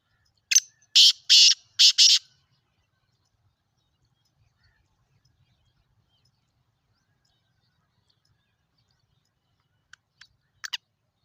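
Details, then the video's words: Black francolin calling: four harsh, grating, loud notes delivered in quick succession within two seconds, then long silence before a few faint rasping clicks near the end. "Kala teetar Ki Awaz black frencolen voice mushki teetar Ki awaaz Sindhi teetar Ki awaaz"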